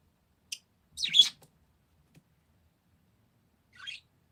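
Parakeet chirps: a brief click, then a burst of bright chattering notes, and about three seconds later a single short high chirp; otherwise quiet indoors.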